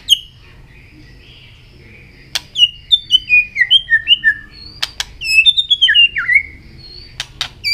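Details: White-rumped shama singing in contest with tail flicking, delivering descending series of short whistled notes in two bursts, separated by sharp clicks and brief silences.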